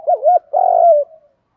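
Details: One spotted dove coo phrase, used to spur training birds to call: a wavering double hoot followed by a drawn-out, vibrating coo that tails off softly.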